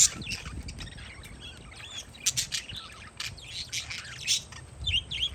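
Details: Parakeets chirping outdoors on a windy day: a busy run of short, sharp, high chirps and squawks, some overlapping, spread through the clip above a low rumble of wind.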